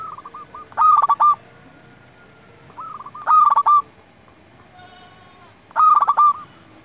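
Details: Local zebra dove, a frequent singer, used as a tutor and lure for other doves: three short phrases of rapid rolling coos, each preceded by softer notes, repeating about every two and a half seconds.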